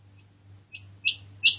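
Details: A quail calls three times, short high upswept notes growing louder with each one, against a soft low hum.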